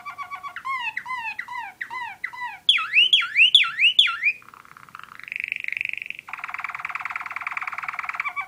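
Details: Waterslager (Malinois) canary song with a tour copied from the northern cardinal: repeated clear downslurred whistles, then louder looping upswept notes, a buzzy rolling trill and a rich sustained water-like trill.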